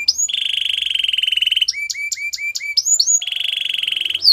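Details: Canary holding a long, even whistled roll, then a string of short clipped notes, then a second sustained roll.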